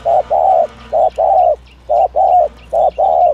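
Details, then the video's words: Urging 'thổ thúc gù' coos of a spotted dove, recorded for dove trappers' luring. Three tidy pairs of mellow low notes, each a brief hoot leading into a longer, fuller one, with faint chirps from other birds behind. "tiếng chim cu gáy chuẩn thổ thúc gù"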